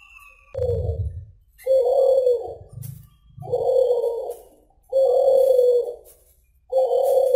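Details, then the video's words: Suhu or kulhu pigeon, a cooing bird kept for its voice, delivering steady mid-pitched coos a second or more long with short gaps, some lower throaty notes underneath between them. "SUARA BURUNG SUHU/KULHU GACOR DOR TAK KOWOR KOWOR"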